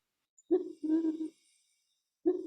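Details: Band-tailed Pigeon call played back during a winter-birds talk: low, hollow coos around a steady pitch, a short note then a longer drawn coo, repeated after a pause.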